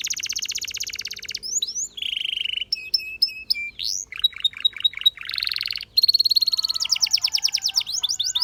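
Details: Singing canary for training. A dense high trill opens, followed by a low buzzy roll, clipped chirps, falling slurs, a short buzzing burst, and a quickening run of rapid rising notes at the end.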